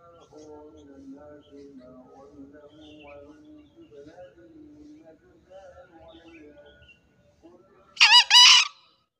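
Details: Green junglefowl crowing in the morning: after several seconds of soft, overlapping tonal chatter from other birds, a single loud, harsh two-part crow bursts out near the end, lasting under a second.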